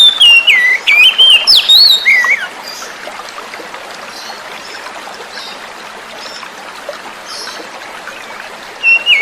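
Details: Wild-caught oriental magpie-robin song, used to stimulate caged birds that stopped singing: a rapid run of varied, high whistled phrases with sliding and warbling notes for about two seconds, then flowing water, before a brief whistle returns.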